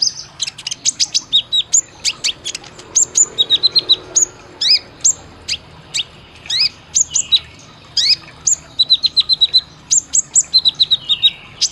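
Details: Olive-backed sunbird, caged-bird training recording in 'isian tembakan' fill-in style: a loud, almost unbroken stream of sharp high chirps, buzzy short trills and quick descending piping runs over twelve seconds.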